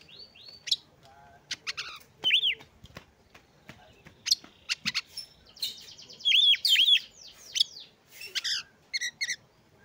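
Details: Oriental magpie-robin, a kept songbird, in rich varied song: repeated rising whistles, sharp clicks, scratchy chatter, several loud dipping-and-rising whistled notes, and a quick series of short high notes near the end.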